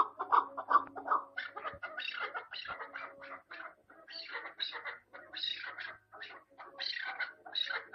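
Chukar partridge giving harsh, clucking chuk notes in rapid uneven bursts, with a nasal mid-pitched quality and brief pauses between series.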